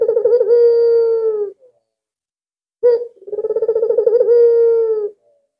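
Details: Two deep coos from an albino Barbary dove kept as a lure to prompt other doves to call, each a burst of fast throbbing pulses settling into a long, even, slightly falling tone.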